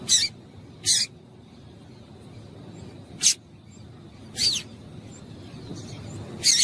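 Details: Female double-collared seedeater calling to get a male singing; five sharp, noisy chips at irregular intervals of about one second or more, over a steady faint hum.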